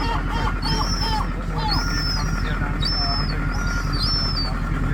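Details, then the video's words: Young gulls in Rome, Italy, crying to be fed: repeated thin, high, drawn-out whining calls that rise and fall, given every second or so, over a constant low rumble of city noise. "Young Seagulls Crying to be Fed"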